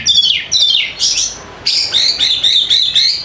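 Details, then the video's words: White-rumped shama song used as a lure to get quiet birds singing: loud, rich whistled phrases with sharp descending sweeps, then a run of quick rising-falling warbled notes, all high-pitched and continuous. "PANCINGAN AMPUH UNTUK PIKAT KACER YANG MALAS BUNYI SEKETIKA GACOR"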